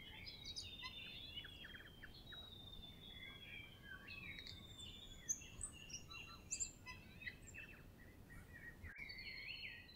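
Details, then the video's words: Riroriro, the grey warbler, recorded at Kapiti in New Zealand, giving a sustained high, thin, wavering trill of slowly descending whistled notes, mixed with brief chirps and short twittering phrases over a quiet background. "Grey Warbler / Riroriro with song"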